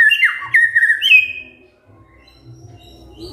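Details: Kretekan fighter phrase of a white-rumped shama, used to provoke other shamas into answering: about a second of clear whistles and falling slurs, then near silence with a faint low rumble.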